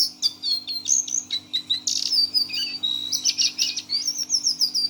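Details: Caged six-month-old brown Lesser Shortwing (jongkangan coklat) singing in teler style: rapid, varied, high whistled notes and sharp chips, mixed with slurred rising and falling phrases, over a steady low electrical hum.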